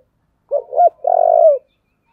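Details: A spotted dove of the "giọng thổ" voice type, kept for fighting contests, calls once: two quick hooked notes then a sustained, rough, low-pitched coo lasting about half a second, with silence around it.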